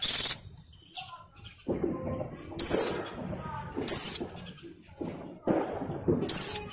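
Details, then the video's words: Female white-eye in breeding condition, molting, calls to males with a loud buzzy high burst, then three sharp descending whistles spaced over a second apart, with lower muffled knocks between the calls. "SUARA PLECI BIRAHI GACOR NGALAS"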